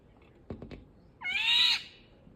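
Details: Indian golden oriole uttering one harsh, nasal, cat-like rasping call after a few soft taps.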